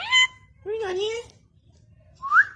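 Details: Caged Alexandrine parakeet mimicking human speech indoors: short wavering voice-like phrases with a sliding tone and a final rising whistled note, close to the microphone with faint background hum.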